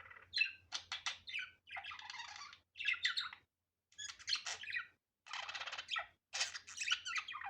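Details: Unedited natural budgerigar chatter: bursts of scratchy chirps alternate with harsh, grating buzzes and squawks, broken by brief gaps, over a faint steady low hum.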